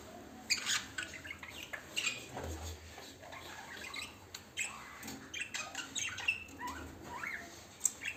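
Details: Lovebirds giving sharp, shrill squawks and chirps in short scattered bursts, several quick high notes clustered around one, two and five to six seconds, with a low background hum and soft rustling.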